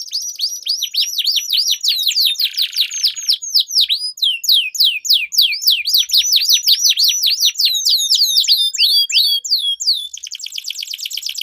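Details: Canary singing in a duel, used as a training lure for competition birds: long rolls of rapid, repeated, upward-hooked chirps, fast and continuous, with brief buzzy trill passages.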